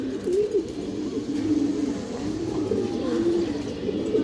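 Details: Fancy-breed domestic pigeons kept for sale in Jatrabari coo repeatedly; deep, wavering phrases with upward and downward inflections overlap across the whole stretch, several birds calling together.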